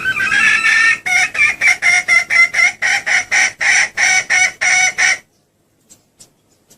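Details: Female red junglefowl calling to attract males: one drawn-out harsh note, then around twelve rhythmic clucking pulses in quick succession before the calling stops, followed by faint scattered clicks.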